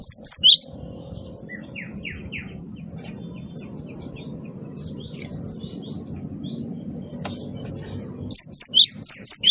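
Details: Great tit song played to lure birds: bursts of loud, high, sharp whistled notes repeated rapidly at start and end, separated by faint chirps and softer downslurred notes over steady low background noise.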